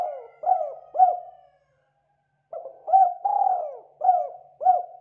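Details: Spotted dove calling in the morning, used as a lure to make other doves call: repeated soft, hooting coos with upward-hooked notes and a longer drawn, descending note, in two bursts separated by a second of silence, clean background.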